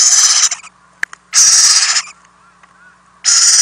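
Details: Owlets in a nest box during overnight food deliveries by both parents, April 10, 2018, picked up by a nest camera; harsh broad hissing screeches lasting about half a second to a second, with gaps between bursts and quiet clicks.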